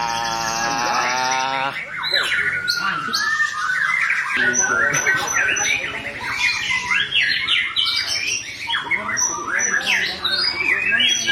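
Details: Long rolling white-rumped shama song with lavish fill-ins, used as a tutor for captive birds. It opens with a harsh, buzzy, harmonic note, then pours out a dense tumble of sweeping whistles, chips and scratchy phrases.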